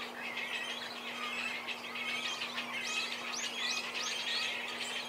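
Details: Cormorant chicks begging while parents feed them, the parents taking turns to fly off and swap places at the nest; a dense chorus of high, thin chirps and quick rising squeaks, with a steady low hum underneath.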